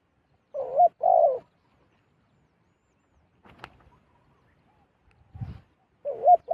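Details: Zebra dove, wild, approaching a decoy bird: a two-part coo phrase, a gap with scattered clicks and a soft thud, then a further coo phrase starting at the end.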